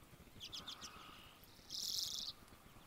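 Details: A chickadee on a dim morning, 3 April 2011, gives a few quick, high chips, then one longer buzzy note, faint against a soft hiss.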